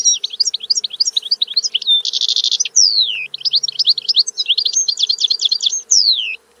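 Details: European goldfinch delivering lively song: repeated sweeping twittery notes, a dense buzzy trill, a long falling slur, then more rhythmic bouncing chirps ending on another descending note; clean recording with faint hum.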